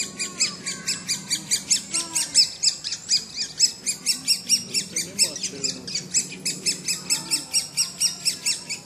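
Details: Woodpecker, 2007: insistent high-pitched chirps repeated roughly twice a second throughout, over a faint low murmur.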